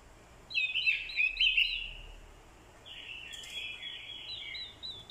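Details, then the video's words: Orange-headed thrush used as a lure, singing its fighting song in response to a female's call: a loud burst of rich, ringing warble, a short lull, then a softer run of high slurred notes. "Chim Quế lâm mồi, hót đấu cực hay. kèm tiếng quế lâm mái, kích trống hót đấu hay."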